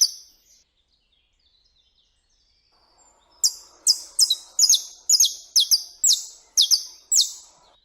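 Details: Saffron finch singing in nature in Brazil. A quiet opening note, then a steady series of about nine loud, bright, slightly buzzy high notes, roughly two per second.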